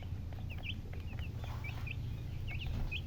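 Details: Baby chicks chirping: high, short peeping notes, often in quick pairs, repeated through the clip over a loud low rumbling background.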